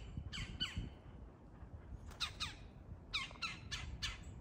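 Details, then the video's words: Wild woodpeckers fighting for territory: harsh, raspy squawks given in quick pairs and short bursts, each note sliding downward, with brief pauses between bouts over a low background rumble. "Woodpeckers fighting for territory"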